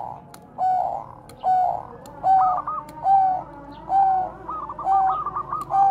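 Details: Zebra dove of the Bangkok type, a bird used as a lure to train other doves, cooing in a steady series: rolling trilled phrases ending in clear held notes, repeated about every second, with faint clicks behind.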